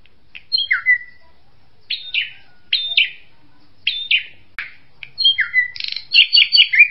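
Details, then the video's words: Drongo calling in short bouts of whistled, slurred notes and sharp chips. The bouts come every second or so and end in a fast, busy run of mixed chirps, with a quiet background. "SUARA BURUNG SRIGUNTING"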